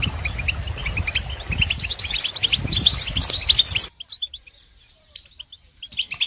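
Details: Goldfinch song for training birds: a few seconds of fast, high twittering chirps and trills, then an abrupt cut to near silence broken by a couple of short chirps.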